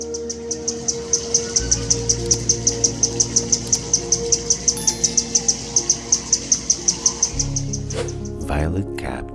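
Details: A Violet-capped Woodnymph of the Brazilian Atlantic Forest gives a long run of sharp, very high ticking notes, nearly three per second, over a low steady hum, with a brief clatter at the end.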